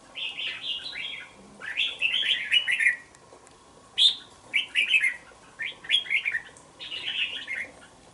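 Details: Young red-whiskered bulbul, two months old, caged in a bổi cage, pours out six or so clear warbled phrases in quick succession, each a cluster of bright chirpy notes separated by short pauses.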